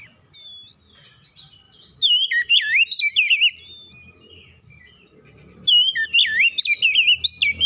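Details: Song of an Oriental magpie-robin meant to attract others of its kind: after a soft opening note, two rich bursts of looping, warbled whistles, with quiet low rumble between.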